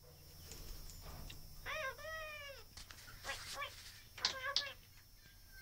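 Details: A hand-reared, talkative Australian king parrot chatters in short, nasal, speech-like phrases such as "nice to meet you" with wavering pitch, broken by a few sharp higher squawks, over faint background music.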